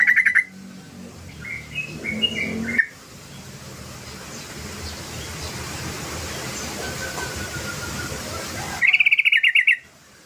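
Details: Sooty-headed bulbul singing, a recording used as a lure to prompt other birds to sing: a short bubbly burst, then scattered whistled and chattering notes, a long stretch of background hiss, then a rapid rattling run of whistled notes.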